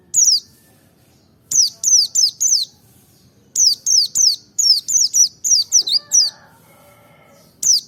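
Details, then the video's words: Merapi white-eye song used as a trigger for others to sing: a lone high note, then repeated clusters of thin descending whistles, four, four and seven, ending with a single note. "pancing emosi pleci merapi ngalas dobel buka paruh 100℅ ikut bunyi"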